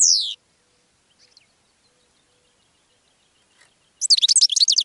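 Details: Goldfinch song, played to attract other birds: a single bright downward-sweeping note, then near silence, then a fast burst of high tinkling twitters at the end.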